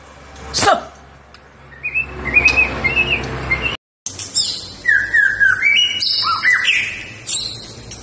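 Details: White-rumped shama in fighting-style song: quiet scattered notes, then a brief break, followed by loud clear whistles that jump between pitches, mixed with buzzy and metallic phrases, over a low background hum.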